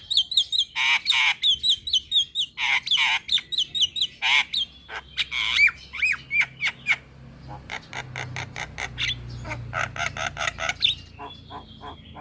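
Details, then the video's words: Loud, lively Javan myna (jalak kebo) song: rapid runs of sharp repeated notes, harsh rasping bursts and slurred whistles, followed by a long series of evenly spaced clicking chatters and a final whistle. "Kicauan Jalak Gacor - Suara Jalak Kebo Paling Gacor"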